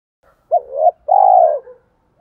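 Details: One low mellow phrase from a spotted dove singing the giọng thổ pha đồng style to lure and excite other doves: a quick upturned note rising into a swell, a brief break, then a sustained, slightly pulsing coo.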